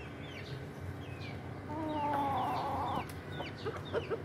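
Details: Domestic chickens of a family flock on a small home farm, with a rooster, hens and chicks. A drawn-out, harmonic, nasal call lasts over a second, then a few short clucks follow. Small birds chirp thinly in the background over a steady low hum.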